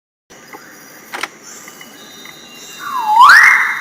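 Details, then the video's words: Magnificent riflebird of lowland rainforest, calling: after a stretch of faint background hiss and small clicks, a loud, clear whistle dips and then sweeps upward, ending on a sustained high note. "Riflebird call"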